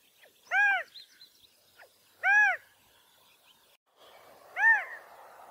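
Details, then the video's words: California quail giving mating calls: three separate bright, arched notes spaced roughly two seconds apart, with light clicking noises in the gaps and a soft hiss during the final note. "California Quail Bird Sound/Call/Song/Noise/Mating calls"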